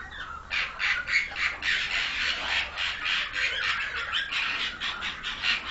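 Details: Pied myna raised in captivity by a bird breeder; a fast run of harsh, noisy squawks pulsing about four times a second without pause, fairly loud and rough.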